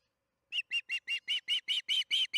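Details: Osprey at its nest during evening feeding, June 21, 2019, 8:15 pm MDT, from a nest camera at Charlo: after half a second of silence, a steady run of ten loud, even, whistled chirps, about five per second.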